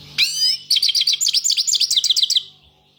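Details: European goldfinch singing: an opening buzzy, sweeping note, then a fast run of bright twittering chirps, about eight per second, for nearly two seconds. A steady low hum runs underneath.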